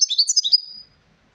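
European goldfinch giving a quick, tinkling burst of high twittering notes, about six rapid chirps ending in a thin trailing whistle, with nothing else audible.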